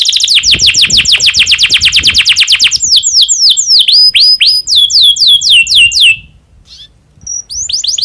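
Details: Breeding-condition domestic canary, its song used to induce other canaries to sing: fast steady trill, then varied descending whistled sweeps, a short gap and a few scattered high notes.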